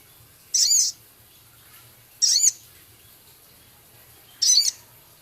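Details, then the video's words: Male Javan cochoa singing a training song with a full filler repertoire, including scarlet minivet, 'ketikan' and harsh 'crecet' phrases. Three short, very high, thin notes about 1.5 to 2 seconds apart, each with a slight downward sweep, over a faint steady hum. "Masteran Burung Sogon Jantan gacor isian full Sepah raja ketikan crecet kasar"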